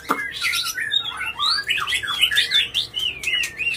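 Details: White-rumped shama in emotional non-stop song to provoke rivals, softer here: a rapid, varied warble of slurred up-and-down whistles running continuously without breaks.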